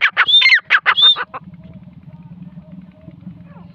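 A grey francolin gives a quick run of loud, harsh, ringing notes lasting just over a second, then falls silent over a low steady hum.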